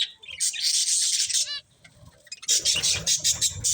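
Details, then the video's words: Budgies eating corn give a loud burst of raspy chattering, a short rising series of clicks, a quiet gap, then renewed dense chirping with low rustling. "Cute Budgies Enjoying Eating Corn | Love Birds Chirping Sounds"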